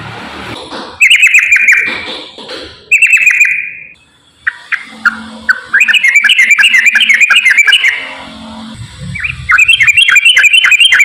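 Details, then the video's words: Straw-headed bulbul, a loud 'gacor ropel' singer used as a lure to prompt reluctant bulbuls to sing: rich bubbling whistled phrases with fast warbled runs, broken by a short silence midway. A faint low hum sits underneath. "KICAU TRUCUKAN GACOR ROPEL SANGAT AMPUH UNTUK PANCINGAN TRUCUK MALAS BUNYI"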